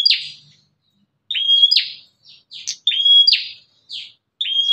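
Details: Bar-winged prinia, a fierce bird heard outside the cage, its voice meant to lure other prinias; high chips and a level piping whistle closing in a rasping burst, phrases repeated several times with brief pauses, nothing else audible.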